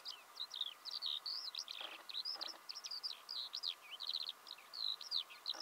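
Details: Eurasian skylark in early spring, Belarus, March 2016, pours out an unbroken run of quick, high, slurred chirps and warbled phrases, bright and tumbling, over a quiet background with a few soft thuds.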